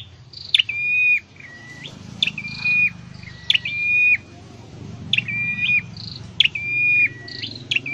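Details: Scarlet-headed flowerpecker, caged for singing training in Indonesia, repeats chirp-and-whistle phrases roughly every second and a half, each ending in a steady held tone, against a continuous low hum.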